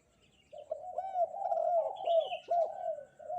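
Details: Lively spotted dove cooing on a bright morning begins after a short quiet. Hollow, low, bending notes run almost without pause, and a thin higher whistle from another bird sounds in the middle.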